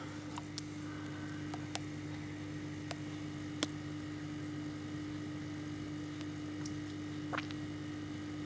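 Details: Steady low electrical hum with a few sharp clicks and ticks scattered through an otherwise quiet room.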